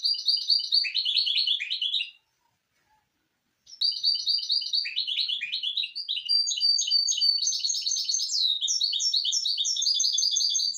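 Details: Misto hybrid canary song for teaching young birds: rapid high twittering runs and trills, a brief pause after two seconds, then a longer run of bright repeated notes and warbled phrases continuing to the end.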